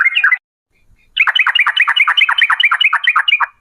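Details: Sooty-headed bulbul, local name trucuk, female, in a lure recording meant to make other birds sing in 'ropel panjang' style: a short burbled phrase, a pause, then a fast run of about a dozen bright, slurred whistled notes.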